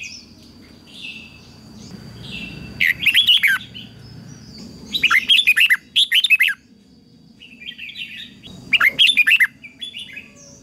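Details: Red-whiskered bulbul competition song meant as a lure to train other birds: three loud, fast bursts of bubbling whistled notes a few seconds apart, with softer distant chirps and low room rumble between them.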